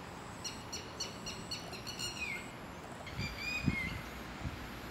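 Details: Red-wattled lapwing, one of two resident in a garden that attack intruders coming close: fainter rapid series of high ringing notes ending in a slurred downward cry, then a second drawn note, amid steady background noise and a few low knocks.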